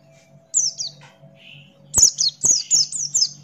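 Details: Buxton's white-eye in full song, one high falling phrase, a pause with a soft buzzy note, then five quick descending whistles in a rapid series.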